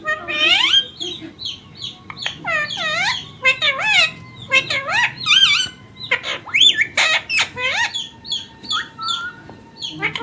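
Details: A ringneck parrot kept as a talking bird, saying words like mummy and papa. A long run of chattering calls, with steep upward and arched chirps, comes in bursts about every half second.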